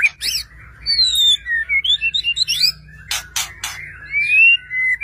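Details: White-rumped shama song used to make other shamas sing: sweet varied whistled notes rising and falling, broken by three harsh rasping bursts, then a long thin rising whistle.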